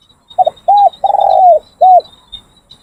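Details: Spotted Dove kept as a training decoy, cooing in training: a single crisp four-part phrase, short double note, short hoot, a long gently falling coo and a closing hoot, with faint insect buzz behind.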